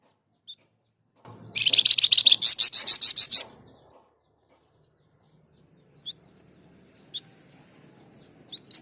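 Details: Flamboyan bird, recorded as a master song for training other songbirds, pours out a two-second string of fast, harsh, high-pitched notes. Several short isolated chirps follow in the quiet afterward.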